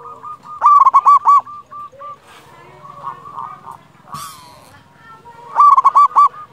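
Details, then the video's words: Loud-voiced local perkutut, or zebra dove, used to stimulate other doves to sing: two short runs of quick, resonant staccato coos at the start and end, with quiet bubbling notes and faint noise between them. "Perkutut lokal gacor suara besar cocok untuk pancingan burung perkutut agar bunyi"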